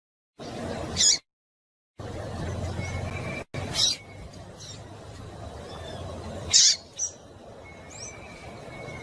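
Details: Female rusty-collared seedeater in breeding condition, calling to excite a male: brief high, bright chips at irregular intervals, one quick double note near the end, with abrupt silent cuts and a constant low hiss behind.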